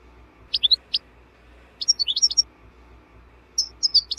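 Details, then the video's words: European goldfinch, recorded for cage-bird training: three short clusters of high, sharp twittering notes separated by silent pauses. "Goldfinch 12h The BEST Song"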